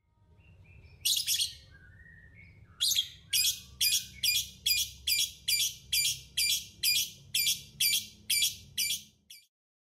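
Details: A masked (yellow-collared) lovebird calls with shrill, harsh chirps repeated about twice a second after a few thin whistles, high-pitched and insistent, over a low background hum.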